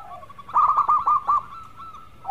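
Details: Melodious song of a local zebra dove, a brief rolling burst of about six bubbling coos over a thin sustained tone.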